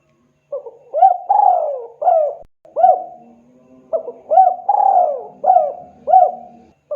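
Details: Vocal spotted dove calls out to other birds, giving mellow coos grouped into short phrases. Brief rising notes lead into a drawn-out falling coo, repeated twice in seven seconds over a faint low hum.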